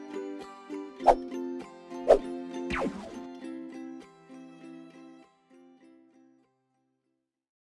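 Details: Tinkling music with steady tones and a few plopping clicks, fading out after about six seconds, with no clear animal voice.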